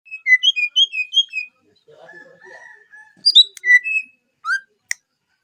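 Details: Greater green leafbird, known locally as cucak hijau, singing: a quick series of clear whistled chirps, then a soft lower warble and scattered sharp whistled notes.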